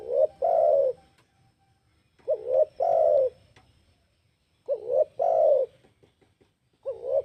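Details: Spotted dove luring call: phrases of a quick double note then a long, full coo, given roughly every two and a half seconds over faint low background rumble and occasional clicks.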